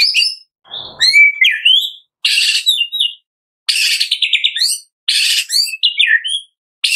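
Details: Lure song of a white-rumped shama, meant to set caged shamas singing from morning to evening: high, rich chirping phrases with quick trills and slurred whistles, separated by short pauses.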